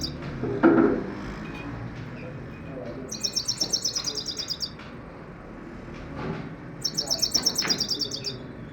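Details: Common Iora calling in two bursts of fast, high, rattling chatter, each of about fifteen quick notes, separated by several seconds of quiet; a brief human voice is heard near the start.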